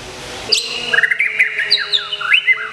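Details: Caged champion white-rumped shama from Kebumen in moult, singing a fast, varied song of chirps, sharp slurred whistles and twittering notes, densely packed and loud throughout.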